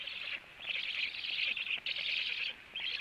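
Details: Black stork feeding scene at the nest in the evening, 18:16; drawn-out hoarse, hissing calls in three or four bursts, the middle ones longest and loudest.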